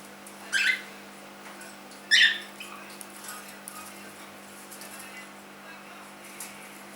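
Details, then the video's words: Young pet cockatiel, three months old, giving two brief harsh squawks about one and a half seconds apart, followed by quiet indoor background. "My cockatiel"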